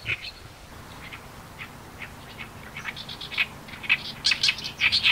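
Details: Oriental reed warbler sings harsh, chattering phrases of short grating notes that grow louder and busier toward the end, over a low background rumble. It recombines frequent stock phrases into varied songs.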